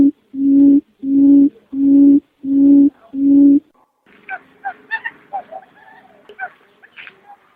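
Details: Barred buttonquail, male alternating with female, a recording used as a lure for buttonquail: five steady, low, hollow hooting notes about 0.7 seconds apart, then a softer jumble of chattering and twittering notes.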